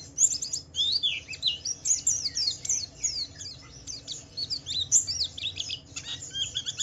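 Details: Lure song of a white-eye meant to get other white-eyes singing: rapid, overlapping high chirps and downward slurs in loose bursts, fairly continuous, over low background hum.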